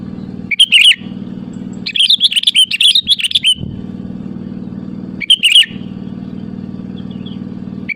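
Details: Sooty-headed bulbul in full song to call rivals, used as a lure: a short chuckle, a two-second burst of lively warbling notes, then another brief phrase, with a constant low humming background.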